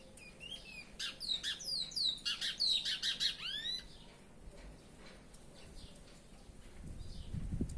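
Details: A kept chestnut-bellied seed finch (curió) singing: a fast run of sweet, slurred whistles and down-curving notes lasting about three seconds, followed by quieter scattered notes and low room rumble.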